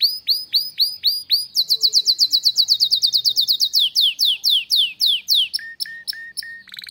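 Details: Canary in a captive breeding room, singing swooping notes that speed into a fast sweeping trill, slow again, and end with short lower chips.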